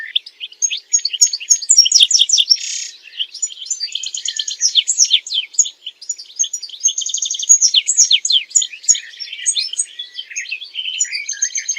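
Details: European goldfinch song for mating and teaching goldfinches to sing: a long, continuous, fast twittering with tinkling chirps, buzzy trills and rattles flowing without a break.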